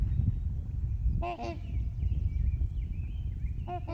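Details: Trumpeter swans on Horseshoe Lake, shared with geese, heard from the beach: a paired brassy honk, then another pair near the end, with a high, thin bird song trilling between them over low wind.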